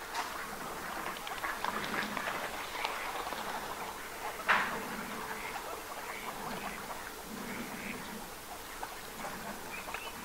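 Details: A flock of wintering northern pintails at Aiguamolls Natural Park, Spain, on 24 January 2022 chatters with soft, overlapping quacks and short nasal notes, plus one sharp louder call midway.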